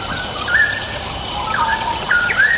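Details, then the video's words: Straw-headed bulbul song used as bait to make lazy birds sing: short rich whistled phrases around the middle pitch range, rising and falling slurs in bursts, over a steady high hiss. "100% AMPUH UNTUK PANCINGAN CUCAK ROWO MALAS BUNYI"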